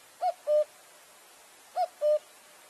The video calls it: Cuckoo Bird Singing